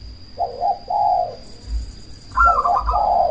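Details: Zebra dove of the cemani type giving big, booming trilled coos meant to make opponents call back and boost breeding drive; two warbling coo phrases, a brief gap, then a stronger rolling burst, with steady electronic whine.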